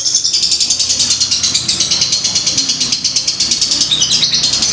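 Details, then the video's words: Ngetik ngekek song from a fighter lovebird, meant to provoke other birds: a very clean, rapid, rattling chatter of sharp high ticks, about eight a second, steady in pace, with little background noise. "lovebird fighter ngetik ngekek"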